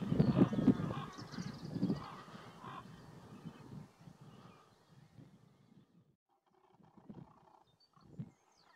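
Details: A raven pair noisily rows with neighbouring nesting crows that attack them near the nest, a diversion to stop an approaching person. Loud rough caws open the scene, then fade to sparse, distant calls and near quiet.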